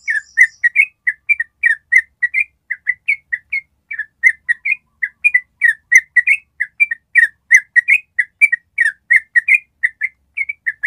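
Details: Extended ropel trill from a yellow-vented bulbul, meant to train birds to join in ropel: long fast sequence of whistled chip pairs, even tempo for nearly eleven seconds, brief higher buzz at the start.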